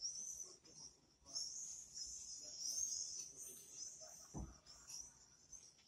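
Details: Shrill, buzzy screaming of common swifts in long overlapping bursts with brief gaps, a single low thump partway through.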